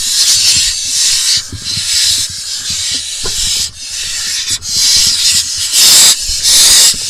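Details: Barn owl nestlings in a nest box in Israel, 20 June 2021, as the smallest swallows a vole: harsh, breathy hisses overlapping almost without pause, swelling and fading in long rasping waves, with faint knocks and rustles in the box.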